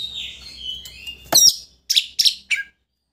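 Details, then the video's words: Oriental magpie-robin song, used to stir a rival into spreading its tail: quiet whistling, then a loud harsh note and three short raspy chirps before silence. "Pancingan Kacer Gacor Untuk Memancing Emosi Lawan Agar Mau Buka Ekor"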